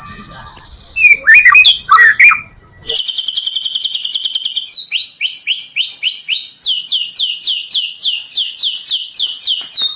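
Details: White-rumped shama singing a full-repertoire song used to lure other shamas: rough chattering notes open, then a rapid buzzy trill, followed by a long series of quick descending whistled notes repeated about four times a second.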